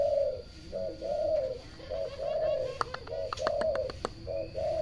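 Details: Turtle doves cooing: a steady series of soft, low, rolling coos, short and long notes alternating, with a few sharp clicks or taps in the middle.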